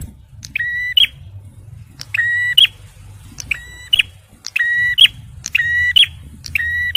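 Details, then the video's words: Male bar-winged prinia, used to lure and prompt stressed birds, repeats harsh harmonic two-part notes seven times in seven seconds. Each note is a level buzz finishing in a sharp bright flick, over a continuous low hum. "TEMBAKAN PRENJAK MERAH JANTAN || CIBLEK SUPER GACOR"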